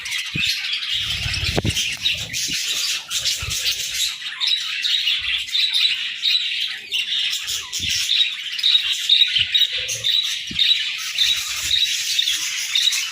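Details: Morning chorus of budgerigars, several birds chattering steadily with high, buzzy warbling chirps and short squeaks, overlapping without pause; a few soft low knocks in the background.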